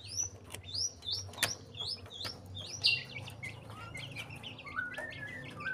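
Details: Breeding-condition white-rumped shama singing a series of bright upslurred whistles repeated several times, followed by lower, softer warbled notes.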